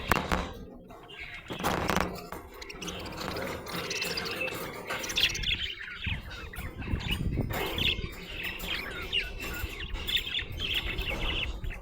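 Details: Happy budgerigar chirping, with scattered bright chirps and short warbles mixed into a busy low rumbling background of handling noise and thumps.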